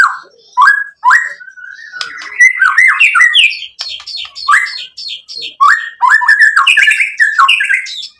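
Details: Lure song of a white-rumped shama, used to stir other shamas to sing: loud rising whistles in quick bursts, mixed with squawky slurred notes and crisp clicks, in phrases separated by short gaps.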